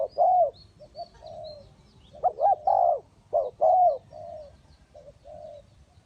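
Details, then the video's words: Spotted dove kept as a decoy in a trap. Loud, quavering coos alternate with softer, shorter coo phrases. Faint high chirps from other birds sound in the background. "นกเขาใหญ่สายต่อดิน,BirdTrap,The Sound Of the dove"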